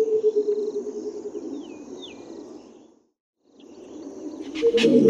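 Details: Burchell's coucal giving its liquid call: low, liquid bubbling notes that break off briefly and then start again. Thin whistles from another bird and a faint insect hiss sound in the background.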